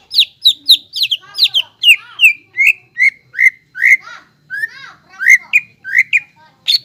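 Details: Greater green leafbird giving energetic gacor song as a lure to rouse other leafbirds. An unbroken, varied run of bright whistled notes, some high and ringing and some lower and slurred, plays over a clean, quiet background.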